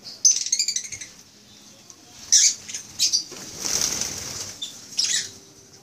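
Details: Eye-ring African lovebirds (Agapornis) in a small aviary, Philippines, recorded May 17, 2015: a rapid series of piercing, high chattering chirps, then several separate shrill squawk bursts and a brief rushing noise.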